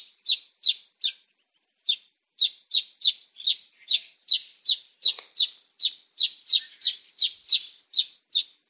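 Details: A Baya weaver near its woven hanging nest in the tropics gives clean, short, high chirps, roughly two to three per second in a fairly steady run after a brief early gap, with a faint click midway.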